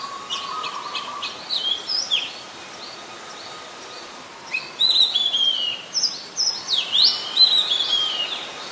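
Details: Oriental magpie-robin in Ubon Ratchathani, Thailand, 26 December 2020, giving scattered short chips and whistled phrases, separated by a quiet gap with a steady faint hum; rural background noise.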